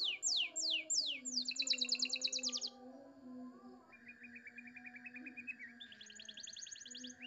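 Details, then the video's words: Canary singing a clear-voiced tutor song in the luxurious cengkok mewah style: rapid falling whistled sweeps, then a dense buzzy trill, a steady rattling trill and high trilled phrases, over a faint low steady hum. "Masteran Kenari Suara Jernih Cengkok Mewah"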